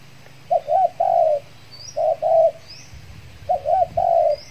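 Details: Trained decoy Spotted dove used to lure wild doves in Kepulauan Riau, Indonesia, back after its moult, cooing a soft low three-note phrase three times, with faint high chirps of other birds.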